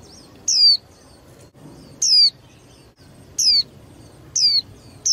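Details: Female white-eye, a caged bird for stimulating contest singing, utters five thin high whistles falling in pitch, spaced one to one and a half seconds apart, against faint low background.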